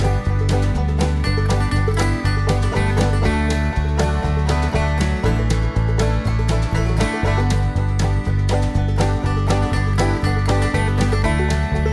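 Steady, loud country-style music with guitar and a driving beat throughout, and no animal calls to be heard.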